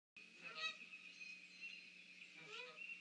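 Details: Mallards and other ducks under trees near a snag, 30 March 2019 at 06:47; two harsh, nasal, harmonic quacks about two seconds apart over a steady high hum.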